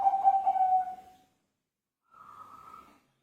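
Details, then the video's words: Zebra dove (perkutut) singing actively (gacor): a loud, rich, low cooing note held about a second and fading, then after a pause a softer, higher, slightly wavering coo lasting nearly a second; quiet surroundings with no other clear sounds. "perkutut gacor Joss"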